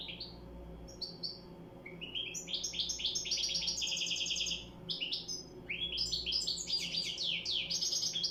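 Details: A goldfinch delivers long runs of rapid, tinkling high chirps and trills, almost continuous, with a brief break midway and a faint background hum.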